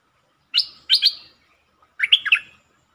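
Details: Streak-eared bulbul singing, dated 13/02/2023 among varied song types: two crisp buzzy phrases, the second doubled, followed after a short gap by a rolling burst of four quick warbled notes.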